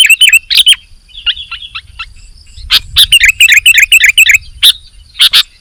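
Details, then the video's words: Sooty-headed bulbul giving bubbly whistled phrases, first a few rising and falling notes, then a quick burst of repeated warbles, mixed with sharp clicking snaps and a low background rumble. "KUTILANG GACOR"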